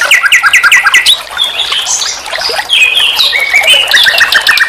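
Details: Nightingale song used to train songbirds: a quick series of repeated chirping notes, then drawn-out whistles that slide between pitches, followed by more rhythmic chirps.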